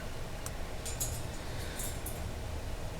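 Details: Steady low mechanical hum, like a fan or engine, with a few faint high clicks and no animal voice.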